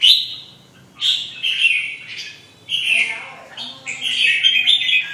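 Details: A singing chào mào (red-whiskered bulbul) gives several emphatic bubbling phrases about a second long. Each starts loudly and is separated from the next by a short gap.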